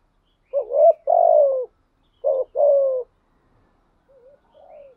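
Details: Decoy spotted dove, thổ-voice style, cooing in an insistent run: two loud double coos about 1.7 seconds apart, each a brief rising note then a longer falling one, followed by faint soft murmurs.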